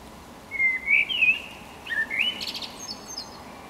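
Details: Fluting song of a Eurasian blackbird (Turdus merula), the block's best singer: rich looping whistled phrases, followed by a squeaky high twittering tail.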